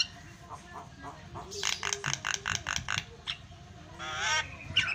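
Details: Javan myna singing energetically, used as a tutor and lure recording: a rapid series of loud harsh chattering notes over a low background hum, ending in a rising grating wheeze.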